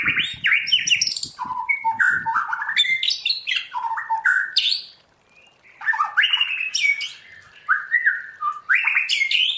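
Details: White-rumped shama giving a forest-voice style song for training: a continuous jumble of harsh squawky notes, rapid slurred whistles and chatter, a short break, then more mixed whistles and scratchy phrases.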